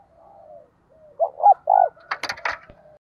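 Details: A tamed decoy spotted dove calling to stir wild doves: a faint low coo, then a clear phrase of two short notes and a longer purring coo, ending in a burst of sharp clattering noises.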